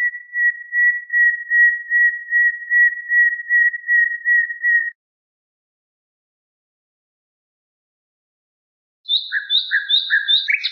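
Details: Common nightingale song on a bulbul tutor tape: a long, steady whistled note pulsing regularly, a pause, then a quick sequence of short notes alternating between higher and lower pitches. Quiet, clean background.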